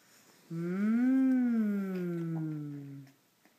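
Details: Female pet cockatoo, excited when asked if she wants sunflower seeds, gives one long, voice-like call of about two and a half seconds that rises then slowly sinks, like a drawn-out 'yeees', in a quiet room.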